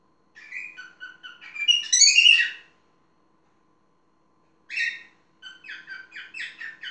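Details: Talking parrot producing a whistled phrase of short notes that swells into a shrill, warbling flourish. After a silence comes a single rasping note, then a quick series of chattering clicks and chirps.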